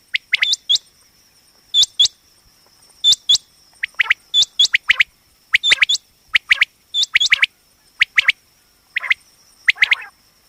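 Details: Female common quail (batair) calling, a sound used for quail hunting and trapping: short upswept chirps in pairs and triplets, repeated about every second, over a steady high electronic whine.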